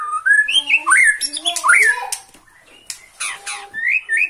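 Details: Caged Bornean white-rumped shama singing in excitement at a rival, mixing looping slurred whistles with rough scratchy bursts and a pause before further rising whistles.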